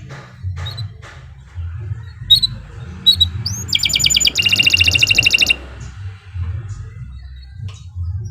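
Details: Canary song for training other birds, long and fast; brief high chirps then a rapid buzzy trill of repeated notes lasting about two seconds, over a steady low hum.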